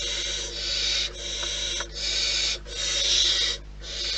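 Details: Wild barn owls at the nest producing a series of rough, steady hisses, each lasting about half a second to a second, separated by brief pauses, with a faint low hum underneath.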